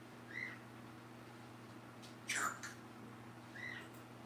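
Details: A pet cockatoo gives one harsh, scratchy mimicked word between two brief whistled chirps, over a steady low electrical hum.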